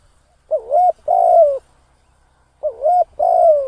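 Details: Spotted dove used as a trapping decoy, recorded close and loud. Two matching cooing phrases about two seconds apart, each a wavering hooked coo followed by a long coo that slowly falls in pitch.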